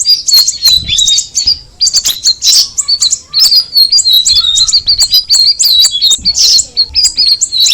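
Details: Straw-headed bulbul, known locally as cucak rawis, delivering a lively stream of high chirps and quick falling whistles in rapid, irregular bursts, with short breaks around the middle.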